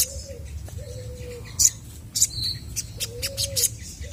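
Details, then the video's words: Chestnut-backed scimitar babbler in vigorous song, meant to get other birds replying: long, flat, low hoots, one about every one to two seconds, with faint high ticks and chirps of other birds behind. "SOGON GACOR BIKIN BURUNG MANAPUN PASTI IKUT NYAUT!!!"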